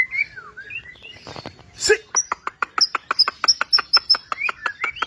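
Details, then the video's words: White-rumped shama in energetic song: a few slurred whistles, then a rapid, even string of sharp ticking notes, each topped by a thin high pip, with rising whistles near the end. "MURAI BATU GACOR ! NEMBAK ABIS BIKIN EMOSI"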